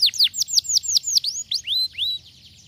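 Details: Canary giving a short run of quick falling whistled notes that slows into two longer rising slurs before fading out.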